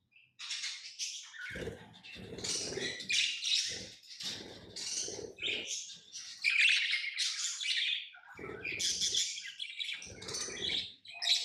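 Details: Lovebirds, kept as pets, chirping in harsh, high chattering bursts that run almost without pause, with lower rustling or scuffling noises between about 1.5–5 and 8.5–10.5 seconds.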